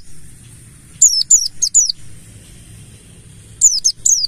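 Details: Mountain white-eye (buxtoni, ngalas forest style), a lure to start other birds singing: a run of four thin, steeply falling high notes, a long silence, then three more, with a soft low background hum.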